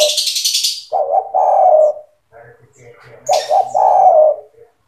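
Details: Spotted dove in full song, played to train young doves to sing: two low, rolling coo phrases, each a stuttered opening and a long throaty coo, with bright chirps of small birds before and between them.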